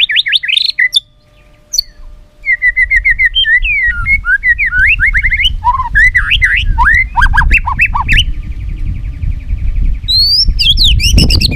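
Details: White-rumped shama pouring out a varied "isian" song meant to set other shamas singing: loud chattering runs, rapid repeated notes and swooping whistles packed densely together over a steady low rumble.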